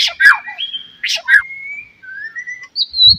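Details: Morning song of a white-rumped shama, used to prompt other shamas into song: harsh rasping bursts alternate with long, thin, level whistles and a short high whistled phrase, with pauses between.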